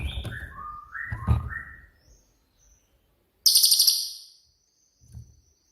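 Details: Cililin (pygmy tit) with a shooting-style song for training songbirds: a few clear whistled notes stepping up and down at mid pitch, followed by a quick, piercing high trill burst.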